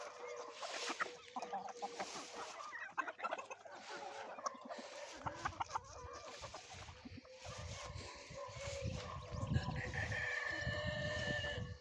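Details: Mixed flock of chickens, rooster and hen together: busy, rapid clucking and squawks tumbling over one another, several birds calling at once over a rough, noisy background.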